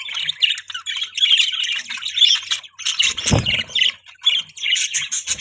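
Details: Chattering budgies produce a continuous buzzy twitter of short, harsh high notes, interrupted once by a sharp low thud.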